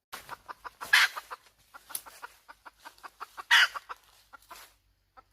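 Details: Busy hen cackling: dense clucks with two loud rough squawks, a few fainter squawky notes between them and a little background rustle.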